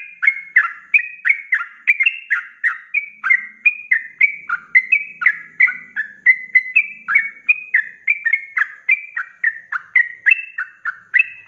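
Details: Caged sooty-headed bulbul, 'ropelan' song used for training other birds: rapid, steady series of warbled whistles, each note falling in pitch, continuing without pause, with a faint low hum briefly behind them.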